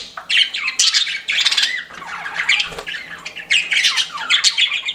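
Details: Pet budgerigars chirping in short warbled bursts, rising and falling whistled squeaks and harsh chatter separated by tiny gaps.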